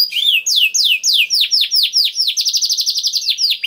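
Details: Canary song with cengkok istimewa variations, used to prompt other canaries to sing: slow, looping slurred whistles, then a quick series of short notes that builds into a fast, steady trill.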